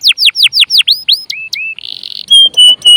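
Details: Canary song intended to prompt other birds to sing: quick repeated high sweeping notes, a couple of lower slurred whistles, a short buzzy burst, then three long steady whistles.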